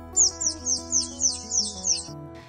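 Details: A Yellow Warbler gives its "seet" alarm call, a warning that brood-parasitic brown-headed cowbirds are near: about seven very high, thin notes, roughly three per second, over soft background music.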